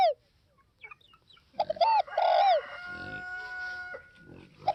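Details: Spotted dove of the Northwest (Tây Bắc) type giving a clear, tuneful coo phrase midway: short stuttered notes, then a long, drawn, downslurred coo. Fainter notes follow, and another coo begins at the very end.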